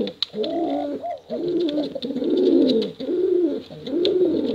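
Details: ['Male and female contest pigeons produce a continuous, mellow, rolling coo in rapid swelling pulses with little pause, with a few sharp ticks.']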